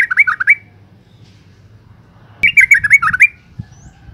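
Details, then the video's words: Yellow-vented bulbul female call used to provoke males into singing: quick bubbly chattering phrases of rapid stuttering notes, one at the start and a longer run after a two-second gap, with faint low background hum. "suara panggilan burung trucuk betina gacor NGALAS pancingan TOP trucukan jantan stres"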